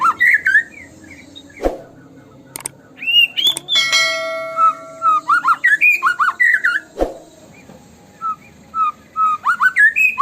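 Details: White-rumped shama 'tembakan' lure song with loud varied whistles and harsh notes, broken by sharp clicks and a ringing metallic tone in the middle.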